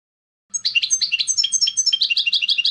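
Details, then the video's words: European goldfinch delivering a busy stream of bright, jingling chirps and short twitters at a quick, uneven pace, with a faint low hum behind. "CHANT DU CHARDONNERET"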